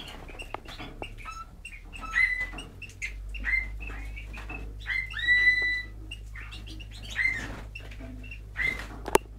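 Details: Male bullfinch of the brown pastel colour variety singing a soft, halting series of short piping whistles and thin chirps, some notes drawn out and slightly rising, with quiet creaky notes between phrases and low background hum.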